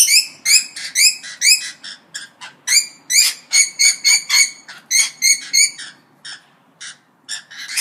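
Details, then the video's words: Chattering parrots give short, bright, whistled chirps with strong overtones, fired in quick uneven series, some clustered in pairs and threes, thinning toward the end. "ΠΑΠΑΓΑΛΟΙ ΣΥΖΗΤΟΥΝ (PARROTS DISCUSSION)"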